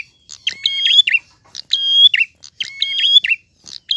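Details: A prinia sings clearly: long, level ringing whistles with chirpy notes at each end, given in two full phrases separated by a short gap.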